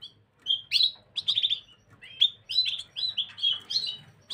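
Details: Gloster canary, recorded 9 January 2023, singing a rapid run of chirps and short rattling trills in close-spaced phrases, with one brief pause near the start and otherwise near-continuous twittering.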